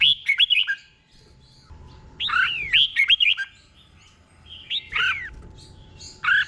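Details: Caged red-whiskered bulbul giving its doubled 'beun' song slowly and clearly as a model for other birds: loud bubbly whistled phrases, each a few arching notes, separated by quiet pauses of about a second.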